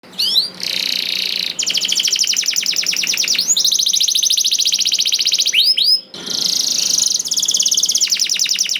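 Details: Canary song played to prompt other canaries to sing: rapid buzzy trills and fast rolled tours high in pitch, broken by short rising whistled notes and two brief pauses.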